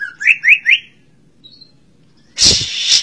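A greater green leafbird gives three quick rising whistles in under a second, then a brief pause and a harsh, rasping burst.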